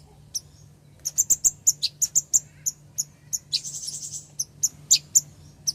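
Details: Ruby-cheeked sunbird female calling to a male, a lure recording: thin high-pitched chips delivered at a steady pace of about three per second, with a brief scratchy buzzy trill midway, and a faint low hum beneath.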